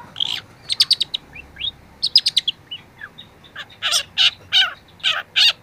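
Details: Young long-tailed shrike singing as a prompting recording for other young birds: quick high ticking trills and thin upslurred whistles, then a run of five louder, harsh, drawn-out buzzy notes.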